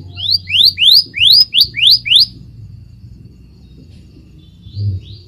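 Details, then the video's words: Scarlet minivet singing: a rapid series of six or seven loud, sharply rising whistled notes climbing from mid to high pitch, then a pause before two fainter rising notes; low hum underneath. "Tiếng chim Hồng tước hót (Phường chèo đỏ lớn)✅Scarlet Minivet (Pericrocotus flammeus) ✅นกพญาไฟใหญ่"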